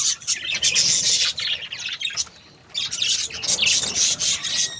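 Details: Budgerigars, a happy breeding pair, giving busy high warbling chatter and squawks, falling quiet for about a second midway before resuming with rising chirps.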